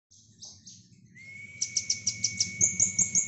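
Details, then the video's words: Brown-throated sunbird, called kolibri ninja, in a rapid 'nembak' style of song used as tutor material for lovebirds. Sharp high chirps repeat about every fifth of a second over a long, steady, lower whistled tone and soft low hum. "Kolibri nembak isian lovebird cocok untuk masteran"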